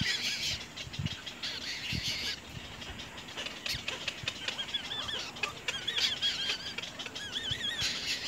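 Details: Little egret chicks in their nest bite their mother very hard while calling; thin wavering warbles come in loose series, with occasional low thumps and constant soft hiss.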